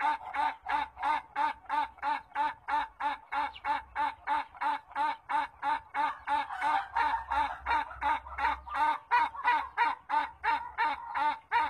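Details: Ayam Ketawa, the laughing chicken, giving a long-lasting crow: a steady run of short, clipped, cackling notes repeated about three times a second with an even rhythm, like rapid laughter, for the whole stretch.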